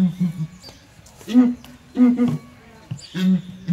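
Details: Southern ground hornbills calling together in a small zoo cage: deep, low booming notes in short resonant bursts, three main phrases over about four seconds.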